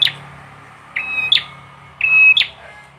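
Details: Bar-winged prinia, known locally as prenjak or ciblek, singing loud, sharp, high whistled notes in three bursts about a second apart, each a clipped chip followed by a brief level whistle, over a faint low hum.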